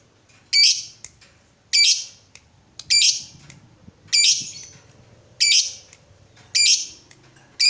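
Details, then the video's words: Lovebird, recorded to stimulate other lovebirds to sing ngekek, giving a steady series of loud, grating, high squawks about every second and a quarter, with soft low background noise between calls. "PANCINGAN SUARA BURUNG LOVEBIRD UNTUK MERANGSANG LB APAPUN CEPAT NGEKEK"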